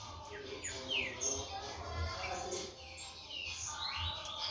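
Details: Young captive green-winged saltator, 16 months old, a tournament bird from Brazil: clear whistled notes, some swooping down and others rising, come in loose bursts against a faint low hum, with other soft chirps overlapping.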